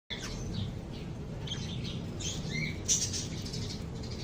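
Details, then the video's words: Caged or pet lovebirds giving short, high, scratchy chirps and squeaks at an uneven pace, over a steady low rumble of background noise. "LOVE BIRDS CHIRPING SOUNDS"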